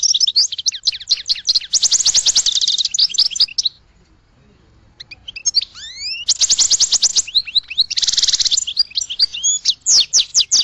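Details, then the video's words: Goldfinch song in bursts of rapid twittering and buzzy trills high in pitch, with a quiet pause near four seconds before fast chattering phrases and rising slurred notes resume. "Goldfinch Song to Educate Newcomers to Their Call"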